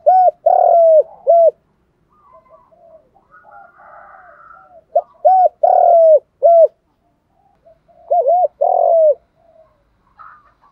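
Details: A spotted dove, a decoy bird calling in the morning to lure wild doves, gives soft, hollow coos in short phrases with a brief pause between each group.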